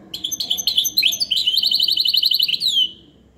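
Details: Goldfinch hybrid in full song: a loud, continuous stream of high, sharp twittering notes and quick trills, densely packed for nearly three seconds, ending in a downward-sliding note.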